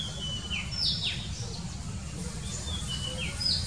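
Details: Morning song of an Oriental magpie-robin: bright whistles and sharp downward-swooping notes in irregular phrases, with steady low-pitched background noise throughout.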